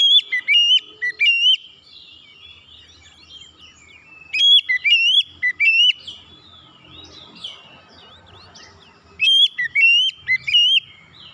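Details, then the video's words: Lure song of an oriental magpie-robin, played to get other birds singing: three groups of loud, ringing whistles with quick rising and falling slurs, separated by pauses of about three seconds filled with soft warbling. "kicauan Kacer pemikat"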